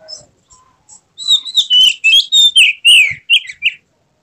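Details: White-rumped shama singing emotionally with tail spread, a few soft notes leading into a loud rapid run of sweet whistles, slurs and upward and downward sweeps lasting about two and a half seconds.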